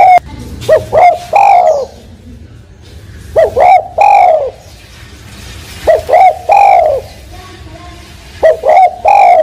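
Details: A spotted dove gives soft, mellow coo phrases of two quick notes and a longer drawn-out one, repeated about every two and a half seconds against a quiet background.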